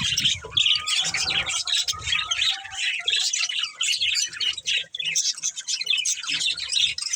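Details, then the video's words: Pair of breeding budgerigars keeps up a dense scratchy warble, including a short sliding whistle early on, with steady chirps and soft low thumps throughout. "Cute Budgies Chirping Sounds"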